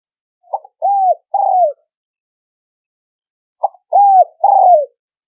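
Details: Spotted dove cooing in 'thổ sấm đồng' style as a lure for males, females and wild birds: two identical phrases, each a short clipped note followed by two longer, gently falling deep coos, separated by about two seconds of quiet.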